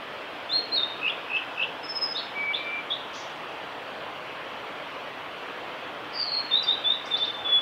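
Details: Male blue-and-white flycatcher singing, Kanazawa forest road, Lake Miyagase, Japan, 5 May 2018; a varied phrase of rising and falling whistles with a low drawn-out note, then after a pause a fast run of sliding high notes.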